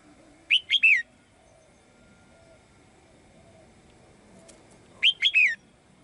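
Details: Caged female bird singing brightly to call the male: two short phrases of three high, sliding whistled notes, each falling at the end, about four and a half seconds apart over a quiet background hum.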